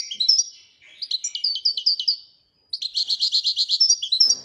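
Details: Royal goldfinch delivers tinkling, slightly buzzy phrases, breaks briefly, then returns with a fast, rhythmic run of bright twitters; a faint rustle at the close.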